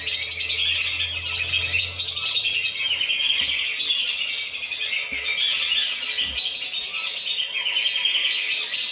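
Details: Many lesser whistling ducks calling together, used to lure the flock down: an unbroken wash of high, overlapping whistles and chattering notes, with faint low thuds now and then.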